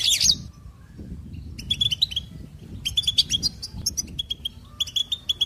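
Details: Goldfinch song: bursts of rapid, bright twittering notes with a steady tone near the top, in phrases separated by short pauses; a brief harsh buzzy note opens it, over a low background rumble.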